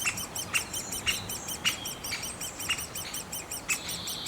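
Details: Rapid thin chirps from a great spotted woodpecker nest, overlaid by louder sharp notes roughly every half second and drawn-out buzzy tones toward the end.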